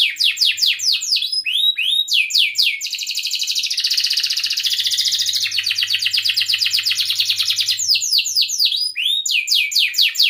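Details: Canary in long, continuous song, used as a lure for young learning canaries and silent ones. Rapid falling whistles give way to a long, dense rolling trill lasting several seconds, then return as quick repeated sweeps.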